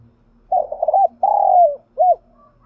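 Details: Caged decoy spotted dove singing to stir up other doves: a burbling coo, a long drawn-out note gently falling, then a short clipped closing coo, with faint low hum behind.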